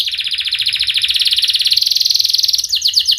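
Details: Canary song used as a lure to teach young canaries to sing: a long, fast, dense trill of sharp repeated notes high in pitch, shifting slightly lower midway, then a brief switch to a different rapid note series at the end.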